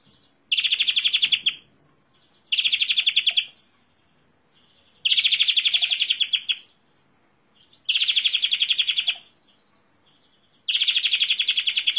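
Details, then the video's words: European greenfinch giving a series of five loud rolling trills, each about a second long, spaced two to three seconds apart, with quiet thin notes between phrases. "Greenfinch Song"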